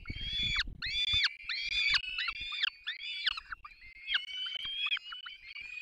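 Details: Young peregrine falcons begging as both parents feed them at the nest on 3 May 2024 in the Barycz Valley: insistent shrill wailing cries, each about half a second, repeated rapidly, with faint low rumbling.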